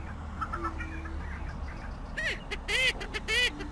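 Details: Greater prairie chickens, a US bird tied to a famous mating ritual. A low steady hoot runs early, then loud cackling whoops with bending, arched notes come in quick bursts from several birds.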